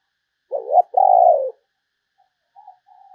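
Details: Spotted dove calling as a decoy for other doves: a strong, low two-part coo, a short bent note then a longer falling one, followed by faint soft cooing.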